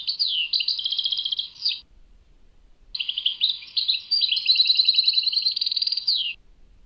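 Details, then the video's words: Two outbursts of European goldfinch song at Tadmait: high, rapid twittering with pulsed trills, each burst finishing with a falling sweep, separated by about a second of quiet. "Chant chardonneret Tadmait"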